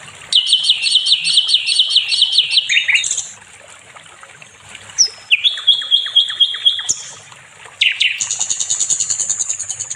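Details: Nightingale, called sikatan londo, singing as a model for training other songbirds: phrases of fast repeated chirps separated by pauses, a sustained high whistle, and a final burst of very high rapid trilling.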